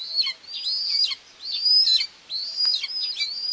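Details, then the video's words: Common buzzards at a nest in Tiszalök, Hungary, on 2 June 2024, with the mother feeding two chicks, recorded by a live nest webcam. High, thin, downward-slurred calls come in bursts about every 1.3 seconds, with short quiet gaps between them. "Buzzard mom feeding two babies"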